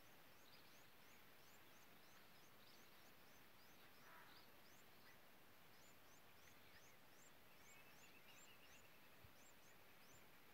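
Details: A barred antshrike chick being fed by its parent gives thin, high squeaky notes, repeated several times a second, over a steady rushing background noise.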